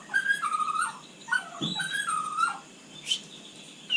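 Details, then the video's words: White-rumped shama singing at night, described as a very vigorous singer: clear whistled phrases near mid pitch, slurred up and down in short runs, with a brief thump and a high sharp note later, over soft background hiss. "Kicau malam murai batu super GACOR"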